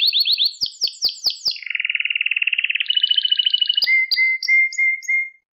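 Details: Pet canary song for training young canaries to sing: rapid repeated rising notes, then a long buzzy trill, a higher rattling trill, and short clear whistled notes at the end.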